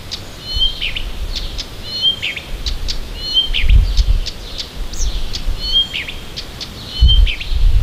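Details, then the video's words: High, varied birdsong on a morning outside Tomsk, Siberia: short whistled motifs mixed with sharp clicks and chirps, phrases repeated with changes, with soft low thumps of background noise. "Послушайте как поёт сибирская птичка!"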